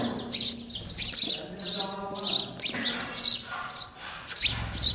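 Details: Young sparrows calling for their parents to feed them: dense, insistent high chirps repeated almost twice a second over a low steady hum.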